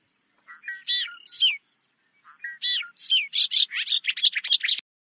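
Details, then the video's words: Bobolink, a Vermont priority bird, singing a bubbling, tumbling jumble of metallic, twangy notes jumping in pitch, sounding like several different birds at once, ending in a rapid burst. "When you listen to the bobolink, you think you're hearing a few different birds there."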